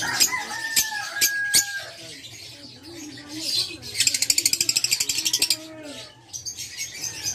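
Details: Caged Fischer's lovebird, violet parblue mutation: sharp clicking squawks and a steady whistled tone first, then a rapid rattling series of around fifteen harsh pulses, followed by more shrill chatter.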